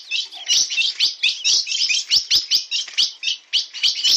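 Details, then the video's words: Bico de aço (steel-billed) ultramarine grosbeak in "na pegada" style: bright, buzzy chirps repeated roughly three to four per second in an even series, high and sharp, quiet background. "Azulão bico de aço na pegada"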